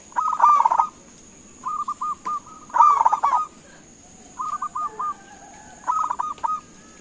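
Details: Local zebra dove calling to make other doves reply: four phrases of quick, stammering, bubbly coos, each under a second and spaced by short pauses, steady mid pitch, faint constant high hiss behind.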